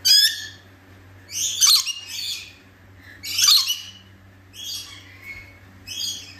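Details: Scaly-breasted lorikeet (Trichoglossus chlorolepidotus) call: harsh, high screeching bursts about every two seconds, each a grating rasp, over a faint steady hum.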